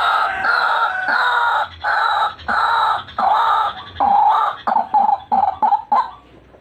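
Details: White-breasted waterhen calling in a recording meant for luring birds: loud, drawn-out, harsh, nasal notes repeated about once per second, then shorter clipped croaks in quick succession near the end.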